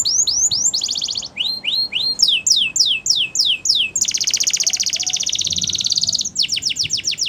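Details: Wild canaries singing varied tours: swept whistles and a brief roll, a series of falling slurred notes, then a long rapid pulsed trill and quick descending notes to finish.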